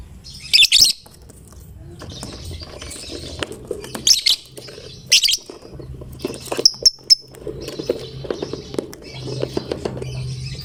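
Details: Chatty fighter lovebird, used to coax other lovebirds into singing, pours out harsh shrill chattering bursts, several loud ones early, then a thin whistled note and softer scratchy twitters against a low droning hum.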